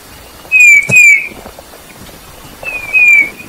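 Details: Piping song of a Eurasian bullfinch: two soft, plaintive down-slurred whistles close together, a pause, then two more matching notes, with a quiet background.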